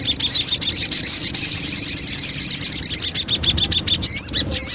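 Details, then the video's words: Lure song of the Javan cochoa, locally sogon: a continuous high rapid trill laced with short rising whistles, then clicks and two bright upward-sweeping notes at the close. "Pancingan Burung Sogon"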